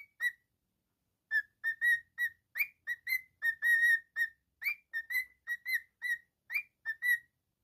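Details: Whistling cockatiel: after one note and a pause, a lively run of short clear whistles, some rising, some held, delivered rapidly in phrases. Background silent.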